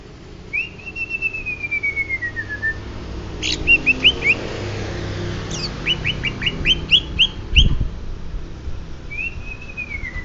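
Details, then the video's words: Greater green leafbird, Banyuwangi type: a long, slightly falling whistle, then two bursts of quick sharp upslurred chips with bright overtones, ending with another drawn-out descending whistle. "Ciri ciri cucak hijau banyu wangi asli"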